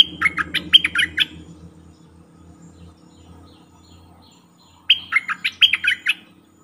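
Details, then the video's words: Caged decoy bulbul used for trapping wild birds, dated 08/08/2021, gives two fast bubbly phrases of clipped, warbling notes about four seconds apart, with quiet rustling and a low murmur between them. "เสียงนกดอกแตงEp.68นกต่อเจ้าแบงค์ ไม่เถียงนกป่าสักคำ!!แต่?? Suara merbah lekir gacor"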